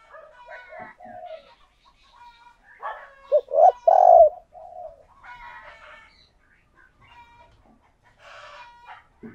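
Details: Spotted dove used as a decoy, cooing to draw in other doves: one loud phrase of short hollow notes ending in a longer coo, surrounded by quieter, busier chatter of other calls.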